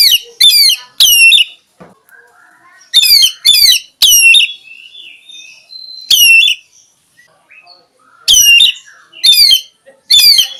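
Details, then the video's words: Oriental magpie-robin song: bursts of loud, sharp, rapidly sliding whistled notes in short phrases, separated by pauses, with a soft, thin, sustained whistle between bursts. Quiet surroundings. "SUARA BURUNG KACER"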